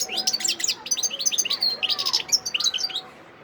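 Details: A wild European goldfinch recorded in Sidi Bel Abbes on 17 December 2021 pours out a continuous, bright, jingling twitter of quick high notes for about three seconds before falling quiet.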